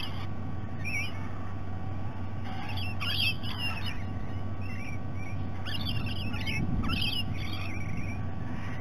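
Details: Rainbow lorikeets visiting at breakfast time at Sydney Olympic Park, Australia, recorded by a nest camera: bursts of harsh, screechy squawks in clusters, several birds overlapping, over a steady low electrical hum.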